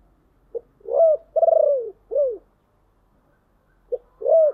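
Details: Spotted dove kept as a decoy, giving deep, husky calls to attract wild birds. A clipped short note, an arched coo, a long pulsing descending coo and a short curved coo, then a pause before the phrase starts again.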